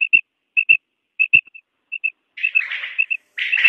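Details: Quail calls, part of a set of one male and three kinds of female calls: clear, whistled notes in quick pairs, repeated about every half second, ending in two rougher, buzzier bursts.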